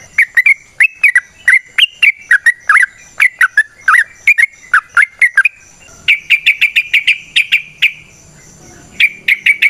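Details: Yellow-vented bulbul in long, rapid wild-style song used as a lure to prompt other bulbuls to sing: quick runs of short, sharp chirping notes. Dense bursts repeat with brief pauses, and a louder cluster follows after a short gap.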